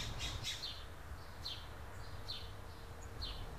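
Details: California scrub jay pair at their nest in a tree, raising three chicks in 2017; several short harsh descending calls, clustered early then spaced about a second apart, over steady low rumbling background noise.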